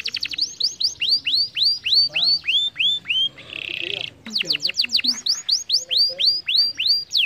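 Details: Canary song for stimulating lazy canaries to sing: steady series of falling whistled notes about three a second, interrupted by a brief buzzy trill, then faster repeated whistles resume.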